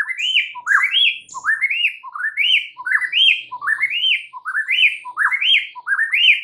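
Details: White-rumped shama song used to provoke rival shamas into reacting, a steady string of identical rising, swooping whistled phrases, roughly ten in six seconds, each ending on a sharp high note; nothing else audible.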